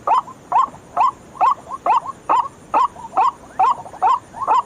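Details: Lure call of the white-breasted waterhen at night: repeated hoarse notes with a twisting upward inflection, about two per second, with softer echoing notes trailing some of them.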